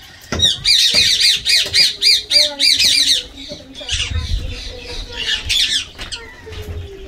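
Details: Tame Indian green ringneck parakeet playing with water, giving a fast run of harsh, high screeching squawks, about four a second, then looser scattered shrieks with soft low rumbling in the room.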